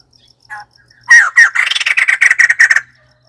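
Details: White-crested laughingthrush giving a soft double note, then a burst of loud, harsh, rapidly repeated chattering notes that tumble along for nearly two seconds before stopping abruptly.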